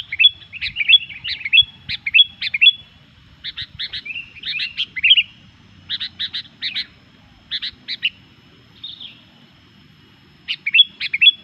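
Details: Lively, noisy song of a Sooty-headed bulbul, said to provoke rival bulbuls: clusters of quick, liquid chirping notes repeated in bursts with short pauses, some with whistled slurs, continuing throughout; slight background hum.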